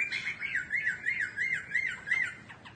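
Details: Caged laughingthrush singing while dancing and fanning its tail: a run of about eight wavering, looping whistled notes repeated roughly three times a second at a steady pitch.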